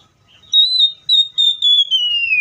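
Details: Oriental magpie-robin singing a sustained, clear whistle in a few pulses, slowly falling in pitch toward the end.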